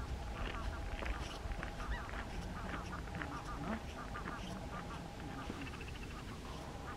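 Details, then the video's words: American flamingos at a lagoon fish farm, 12 March 2022, give a steady chorus of low, nasal, goose-like honks and grunts, overlapping from many birds, with a faint human voice in the background. "Phoenicopterus ruber PLAMENEC"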